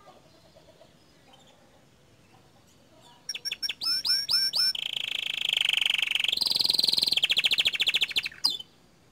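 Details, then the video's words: Bottle-green canary singing a 'tembakan' (burst) style master song meant to rouse other canaries; after quiet, a run of rapid upslurred chips breaks into long fast buzzy trills, then a higher dense trill and a final sharp note. "Masteran Kicau Kenari Warna Hijau Botol Suara Tembakan nya Bikin Emosi Kenari Lain"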